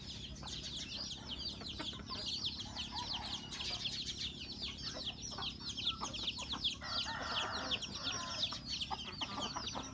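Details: Breakfast time among home-raised chickens: a thick, continuous chorus of high downward-slurred peeps from many birds, quieter and more distant, with a short burst of lower murmuring midway.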